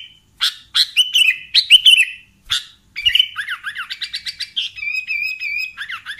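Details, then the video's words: Sooty-headed bulbul chirps used as a trapping lure for bulbuls: spaced, bright chirps with bent endings, then a rapid stream of down-slurred notes and a steady, wavering whistle. "SUARA BURUNG Kutilang Pikat"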